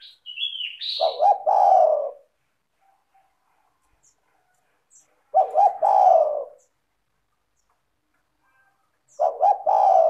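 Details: Spotted dove song recorded to lure other spotted doves: a brief high whistled sound at the start, then three phrases of short stuttered coos ending in a long low coo, about four seconds apart.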